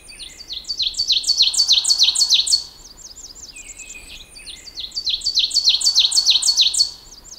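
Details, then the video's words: Two Ovenbird songs from the central and eastern United States, each a quick run of ringing two-note 'teacher' phrases that grow louder to an emphatic end, with a short quiet gap between them. "the oven bird song gets louder with each note and it sounds like it's saying teacher teacher teacher teacher"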